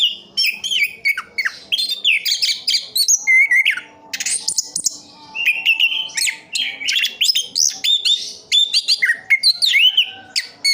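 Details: Orange-headed thrush kept as a cage bird in Sidoarjo, East Java, singing a long unbroken run of clear whistles, sweeping slurs and fast buzzy chatter, with brief gaps between bursts.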